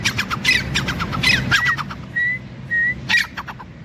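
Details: Grey francolin (teetar) on the ground after dust-bathing, alert and active from fear of kites overhead, gives a run of harsh, rapid squawking notes, then a few clear rising whistles about half a second apart, with faint low background rumble.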